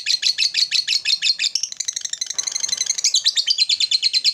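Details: Fast, rasping chatter from a kept lovebird, the ngekek style, with pulses rolling quickly and steadily at a high pitch throughout, sung to call out a rival and stir it up.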